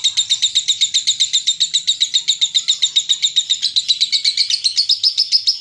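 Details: Lovebird giving a long ngekek, a rapid chattering song used to lure other lovebirds into singing. High, sharp chirps repeat several times a second in an even stream, rising slightly toward the end.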